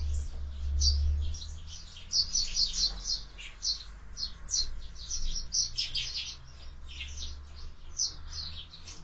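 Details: Sparrows feeding at a window-mounted feeder that is stocked year-round, busy at lunchtime. Dense, overlapping high chirps and tweets come from several birds at once, over a low steady hum.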